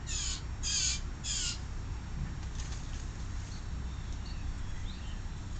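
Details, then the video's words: A juvenile blue jay with a peanut gives three loud, harsh, raspy begging squawks in quick succession, followed by quieter scattered faint notes over low background noise. "A very noisy #baby #blue jay"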